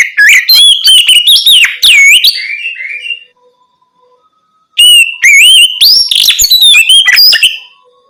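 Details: Loud open 'ngeplong' singing of an Oriental magpie-robin at night, intended to prompt untrained birds to start answering: two long bursts of strong, varied whistles, swoops and rapid twittering, separated by a short quiet gap.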